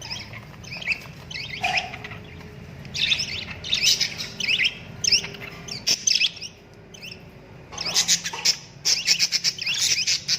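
Cockatiels give bright, scratchy chirps and warbled phrases in bursts, with several birds calling over one another; a brief low squawk sounds early on.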